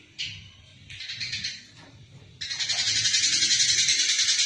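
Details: Eurasian tree sparrow recorded fighting as tutor material for songbirds: a couple of short buzzy chirp bursts, then an unbroken, fast, harsh chatter of evenly pulsed notes.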